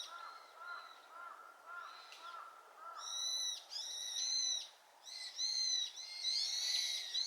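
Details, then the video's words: Brown-eared bulbul answering a flock's chorus. Soft, lower repeated notes open the clip, then several loud, strident, harmonic-rich screeches follow in bursts separated by short gaps. "群れの大合唱に応えるヒヨドリ ヒヨドリの鳴き声 Brown-eared bulbul sing too loud."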